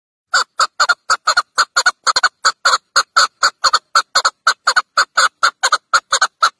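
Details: Chukar partridge calling: a brisk run of short, hard clucking notes, roughly two per second, each note clipped and even in pitch, continuing steadily throughout against a quiet background.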